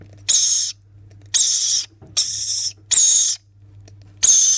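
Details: Rainbow lorikeet chicks being spoon-fed give five harsh, hissing rasps, each about half a second long, repeated roughly once a second over a faint low hum.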